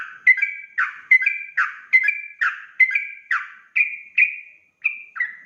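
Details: Sooty-headed bulbul in fast, lively 'ropel' song used as a lure to make other bulbuls answer: short bubbly whistled phrases, each a bright note dropping into a lower warble, repeated roughly twice a second, clean with no other sounds.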